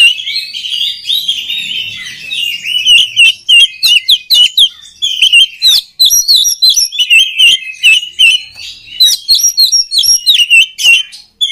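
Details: Song of an oriental magpie-robin, meant to train other magpie-robins: a soft warbled start, then rapid stuttering notes at about three per second, repeated with uneven spacing and bright high twitters.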